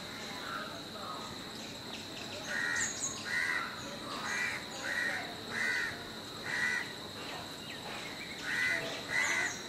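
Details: A pair of black-rumped flamebacks investigating a tree hole for nesting; one gives a series of harsh, grating notes, roughly one every 0.7 seconds, over a steady high insect drone.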